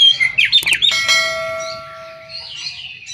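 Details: Brief burst of magpie-robin whistles and chirps at the start, followed by a sustained metallic ringing tone and faint warbling in the background.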